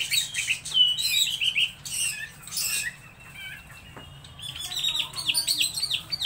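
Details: Laughingthrush singing strongly: busy, high, chattering phrases of rapid chirps and twitters, a short lull, then a renewed run of quick sharp notes.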